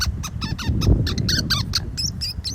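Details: Tanzi, an almost seven-year-old female African pygmy falcon, a free-flighted zoo ambassador bird, very vocal, gives a rapid series of high, thin, squealing notes, about four per second, over a keeper talking.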